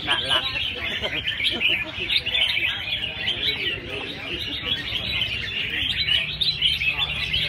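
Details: Many caged red-whiskered bulbuls singing together during a competition round that selects 24 of 120 birds; busy, high warbling and sharp chirps run without pause, a low hum of people in the background.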